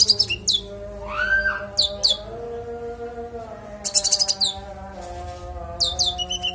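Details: Konin delivering clear varied song content for songbird training: clusters of sharp high downslurred chirps and brief rattling trills separated by pauses, with sustained low tonal sounds in the background.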